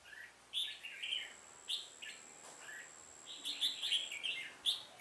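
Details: Decoy red-whiskered bulbul singing during trapping on 1 October 2018 to draw in wild rivals; short lively bursts of chirpy, slurred whistles come in clusters, with a faint continuous high whine behind them.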